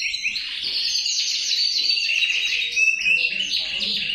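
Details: Male canary singing a continuous, dense run of high twittering trills and chirps, with a brief clear whistled note near three seconds, then rapid rolling notes resuming; steady loud delivery without pauses.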